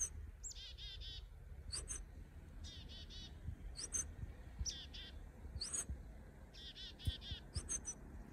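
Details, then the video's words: A chickadee in its natural habitat gives its chick-a-dee call, a high thin note and then a run of buzzy dee notes, repeated about every second over low rumbling background noise. "Chickadee Call"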